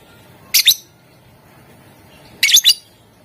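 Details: Lovebird chirping, used to prompt other lovebirds to sing: two short bursts of harsh, high, doubled chirps, about two seconds apart, over a quiet background.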